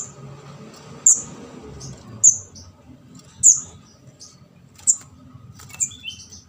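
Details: Young orange-headed thrush from Java, locally ndas abang, whose begging is used as a lure to catch birds. Piercing high squeaks spaced about a second apart, with fainter short chirps between, over low background hum.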